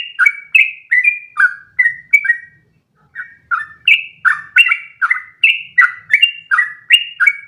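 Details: Sooty-headed bulbul song kept up at length for other birds to imitate; fast downslurred whistles, a half-second pause near the middle, then the run resumes louder and steady.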